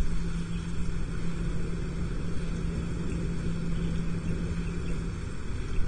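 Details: Constant deep vehicle rumble with a steady low hum throughout; no animal sounds.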